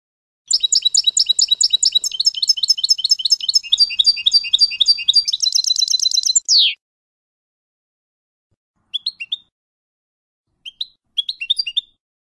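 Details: European goldfinch song from a half-hour tutoring recording in the F.O.C.S.E code, meant to teach young goldfinches. Some six seconds of dense, fast, buzzy twittering and tinkling notes, ending in a sharp downslurred note, then a few short chirp bursts after a pause.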